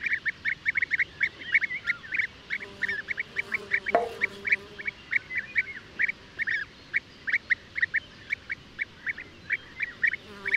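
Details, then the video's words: European bee-eater repeating clipped trilled notes at a fairly even pace across ten seconds, notes spacing out toward the end; one brief sharp click partway through. "O canto do abelharuco-comum/abelharuco-europeu (Merops apiaster)"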